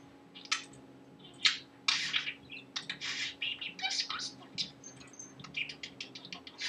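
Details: Pet male budgerigar voicing newly learned phrases and laughter; hissy, broadband chattering bursts come quickly after a quiet start, with a few short pure whistled notes mixed into the babble.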